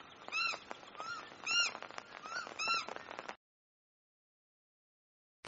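A kakapo gives five harsh, nasal squawks, each arching up then down, roughly every half second over a steady hiss, then falls silent.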